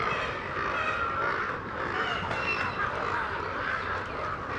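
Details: Nesting rookery at Smith Oak Woods Sanctuary on High Island, Texas, full of overlapping coarse squawks and honks from many birds, a steady crowded chorus with a few brief sharper notes breaking through.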